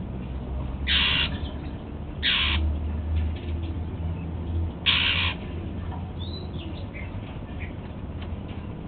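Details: While eating apple for breakfast, a kept male Golden-fronted Leafbird makes three harsh, hissing rasps in the first five seconds, followed by a brief thin whistle and quieter ticking notes.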